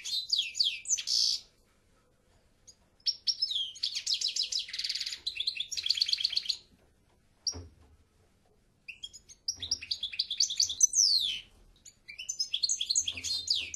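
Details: European goldfinch in full song: long stretches of rapid high twittering and buzzy rattles, interrupted by two brief pauses, with bright descending slurs returning toward the end.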